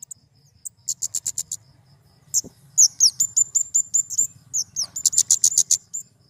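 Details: Flowerpecker, or kemade, delivering bursts of rapid, very high clicking chips and a run of sharp ticking notes, with brief pauses between series.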